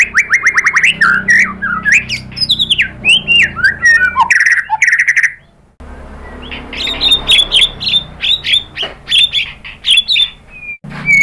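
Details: White-rumped shama, used to provoke other birds to sing, delivers a fast, dense outpouring of whistled and chattering notes, breaks briefly, then resumes with repeated bright chips.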